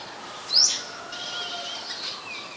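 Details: Olive-backed sunbird in Thai mangrove forest at the Sirinart Rajini centre gives a single brief, sharp, high-pitched rising note, followed by quiet background hiss.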